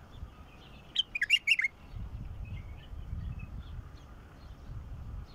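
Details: Song of a mature (mukhallaf) bulbul, played to get a silent bulbul singing: one quick burst of bright, warbling chirps rising and falling for under a second, then a low background hum.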